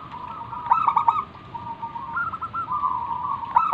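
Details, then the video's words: Local wild zebra dove, a strong singer used as a lure to draw other doves into calling, giving a rapid bubbling cooing series around a steady mid pitch, with stuttering trilled notes repeated through the phrase; faint background hiss. "burung perkutut lokal Gacor manggung - pancingan pikat paling Ampuh mengundang bunyi"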